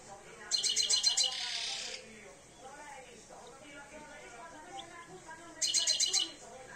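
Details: Two-year-old European goldfinch coming into breeding condition, producing two brief, high twittering bursts of fast repeated notes separated by several seconds, with people talking quietly throughout.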